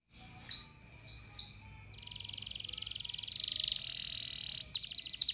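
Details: Domestic canary singing to get other canaries singing: a few high whistled notes, then long buzzy rolls and a fast, sharp repeated trill toward the end, over a low background hum.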